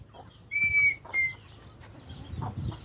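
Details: Red-winged tinamou at the start of a season: a clear, steady whistled note about half a second long, then a shorter whistle just after, with low rustling and rumbling background.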